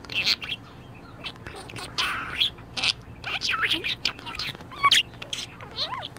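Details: Pet budgerigar in a very good mood, chattering in a rapid, scratchy warble of short chirps and squeaky rising notes, with a few clearer whistled peaks, indoors.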